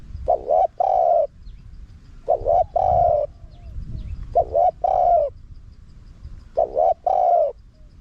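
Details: Wild-style spotted dove calling in a small, high voice, played to lure wild doves. Four repeated coo phrases about every two seconds, each a quick doubled note followed by a drawn-out hollow coo.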